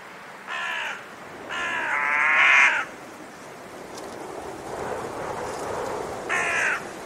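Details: Raven calling: one short rasping caw, then a longer drawn-out grating call. After a hiss-filled gap of several seconds comes a final brief caw.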